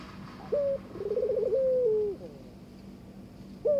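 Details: Barbary dove courting its mate: a short level note, then a wavering, bubbling coo that stretches into a smooth descending tone; a new short note begins the next phrase at the end.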